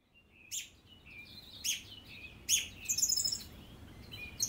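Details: Song thrush singing away: a short bright phrase given three times about a second apart, then a run of high, thin, rapid notes near the end.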